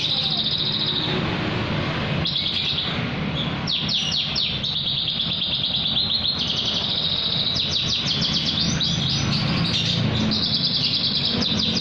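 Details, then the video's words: Javan bush lark singing at night: a rich, continuous run of trills and slurred whistles, with rapid descending notes and sustained buzzy phrases, over a steady low rumble. "Branjangan malem juga bunyi"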